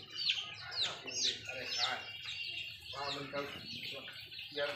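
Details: A flock of 15-day-old Sonali chicks peeping: high, thin, down-slurred cheeps, several a second and overlapping, with a faint human voice in the background.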